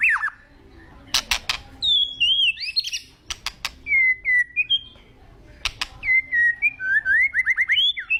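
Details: White-rumped shama, agitated, singing varied whistled phrases, short slurred notes and a quick rising series, broken by loud sharp clicks.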